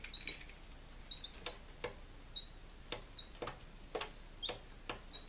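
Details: Baby chicks on day five, Lunenburg, Massachusetts, 23 July 2017, give sparse high peeps about once or twice a second among frequent dry tapping clicks.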